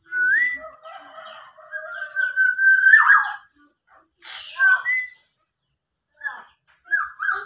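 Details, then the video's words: Local black-naped oriole, fully tame and singing eagerly, copying a police car siren. Sliding whistled notes, a long rising wavering phrase, then short upslurred whistles separated by silent gaps, with scattered faint rustles. "kepodang lokal berbunyi mobil polisi"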